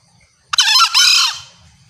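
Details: Female green junglefowl calling to draw males, loud and clear: one harsh, ringing two-part call about a second long, a brief rising opening note followed by a longer, steadier note that fades out, over a quiet background.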